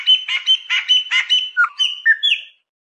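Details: Chopi blackbird singing, used to stimulate a pet bird to sing: a run of about eight quick rhythmic chirping notes followed by two or three clear slurred whistles.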